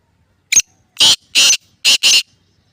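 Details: Black francolin (kala teetar) from Layyah district, dated 22 March 2024: one short harsh note followed by four loud, grating, buzzy notes, the last two close together, in a single rhythmic phrase over about two seconds against a quiet background.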